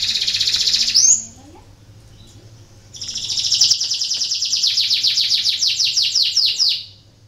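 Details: Canary song played to prompt lazy canaries to sing: a fast trill cut off abruptly, a short quiet gap, then a long run of rapid descending sweeps repeated nearly four times a second before stopping.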